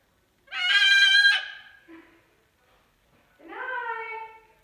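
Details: Caged pet cockatoo heard in the dark after being put to bed, sheet over the cage. One loud, rich, buzzy squawk, a short faint note, then a softer falling, talk-like drawl.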